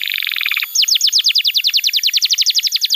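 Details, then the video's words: Singing canary, recorded to teach young birds and to prompt reluctant singers: a fast buzzy trill gives way to a long run of sharply descending, evenly spaced swept notes, about eight per second. "Pancingan Suara Kenari Gacor‼️ Ampuh untuk Masteran Kenari Muda dan Terapi Kenari Macet Bunyi"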